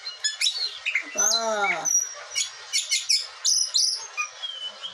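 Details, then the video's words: Agitated, captive Blue whistling thrush kept in Bogor, Indonesia, and tended with only water and bathing, gives sharp, high chirps and short whistled notes in uneven bursts, with a human voice mixed in partway through. "Burung ciung batu gacor ngamuk lagi gaes"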